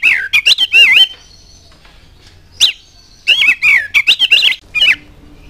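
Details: Oriental magpie-robin lure song for prompting other birds to sing: a quick warbled phrase with looping whistles, a long quiet gap with one sharp note, then a lively run of rising and falling whistles.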